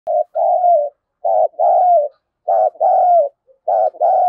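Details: Spotted dove cooing, used as a decoy to provoke fighting; repeated two-part phrases, a short broken note then a longer smooth falling coo, about every 1.2 seconds, clean and close.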